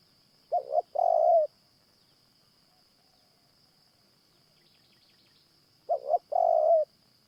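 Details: Spotted Dove calling at a morning trapping session that uses a caged decoy dove; two soft cooing phrases about five seconds apart, each a brief doubled note and a drawn-out falling coo, with a constant thin high whine behind.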